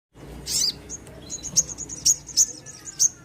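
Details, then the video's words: Sogon bird singing vigorously, used as a lure to prompt reluctant birds to sing: thin, very high chirps and short whistled notes, spaced irregularly over faint background hiss. "sogon gacor pancingan burung bahan & malas bunyi"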